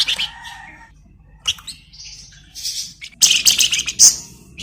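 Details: Flamboyan bird song for magpie-robin training: a short whistled phrase, then a quiet gap and a buzzy high note, ending in a loud, rapid, chattering burst of shrill twitters.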